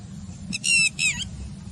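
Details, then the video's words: Red-wattled lapwing at the Manair dam water body in Karimnagar gives two loud, harsh, strained notes in quick succession, the second falling slightly, over a faint low rumble. This is its distinctive "did-he-do-it" alarm call. "Red-Wattled Bird Call"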